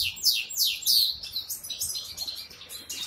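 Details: Short excerpt of a goldfinch hybrid in Ankara: quick descending chirps followed by a fast, jumbled twittering trill, all high-pitched and lively.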